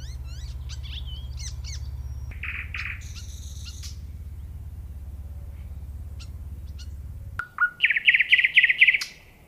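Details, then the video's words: Nightingale song with varied whistles and buzzy notes, a pause, then a sudden loud rapid rattling trill of repeated chirps near the end. "صوت العندليب وجمال الطبيعة🤩Nightingale Sound and Nature Beauty"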